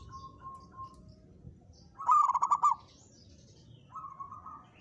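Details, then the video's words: Local zebra dove challenging a rival in song, caged: faint quiet coos, then one loud rolling phrase of quick pulsed notes, ending with a soft level coo. "perkutut lokal gacor menantang lawan ikut bunyi!!"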